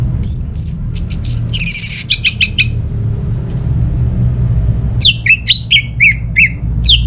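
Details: Orange-headed thrush, a kept bird in a home setting, singing energetically to spur other birds into song: bright descending whistles and quick chirps, a pause, then a run of sharp falling notes repeated rapidly. Low hum underneath.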